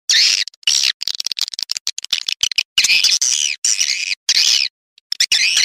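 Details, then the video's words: Swiftlet lure sound: bursts of high rasping chatter and squeaky twitters, interleaved with rapid clicks and short pauses. "SUARA WALET PILIHAN TERBAIK"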